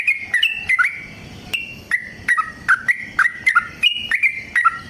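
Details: Yellow-vented bulbul singing its rapid fighting song, meant to draw other bulbuls into song; clear, slurred whistled notes come in a quick, somewhat uneven series, about three per second.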